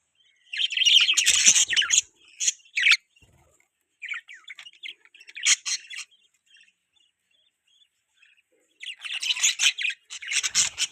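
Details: Budgerigars chirping in bursts of scratchy, warbling chatter and squawky notes, loud clusters separated by short silences, with a noisy burst of chatter at the end.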